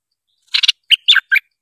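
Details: Streak-eared bulbul calling as a trapping lure, close and loud: a quick doubled rasping note followed by three separate bright, slurred chirps, the whole phrase lasting under a second in otherwise quiet surroundings.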